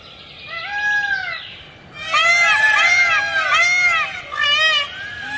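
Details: Green peafowl calling: a single arched, nasal wail, then several overlapping loud honking calls from more than one bird, with harmonic, arching notes repeated in quick bursts.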